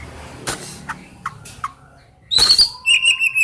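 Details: Oriental magpie-robin song fragment: faint clicks and taps, then a sudden burst of high, shrill whistled notes followed by a short series of repeated piping whistles.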